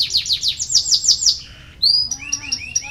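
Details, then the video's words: Canary singing, used to prompt lazy canaries into song; a fast trill of bright repeated notes, a brief buzzy pause, then a loud whistle and a series of high upward-sweeping chirps. "KENARI BELAJAR BUNYI UNTUK MERANGSANG BUNYI- pancingan kenari malas bunyi"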